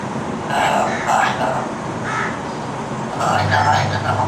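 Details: Pet Alexandrine parakeet (Psittacula eupatria) mimics speech, repeating the religious phrase "La ilaha illallah Mohammed ur Rasool Allah" in a hoarse, voice-like chatter with clipped syllables, over a low background rumble.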